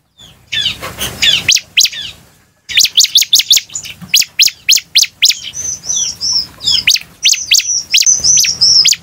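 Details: A bar-winged prinia, used as a lure call to draw a response, sings a fast run of sharp, high chips, several per second, broken by thin whistled notes; no other sounds intrude.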